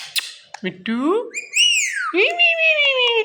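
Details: Green Indian ringneck parakeet kept as a pet, chattering in a small room: nasal, voice-like rising and falling phrases with rich overtones, one long descending slur, then a held, buzzy note.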